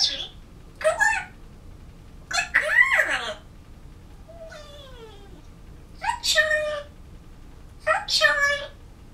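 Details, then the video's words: African grey parrot kept as a pet, trying to sing the Tiki Room song from Disney and practicing words, November 2011: short bursts of harsh, speech-like sounds with rising and falling whistled tones, separated by pauses, in a quiet room. "African Grey Parrot - Talking"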